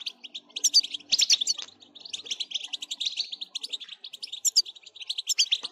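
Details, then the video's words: European goldfinch pouring out quick, high, twittering notes mixed with buzzy trills, repeated in lively phrases throughout. "بتبتة نااار يا حبييبي ناااار لتهييج الحسون ستجعله يغرد من دووون انقطاع"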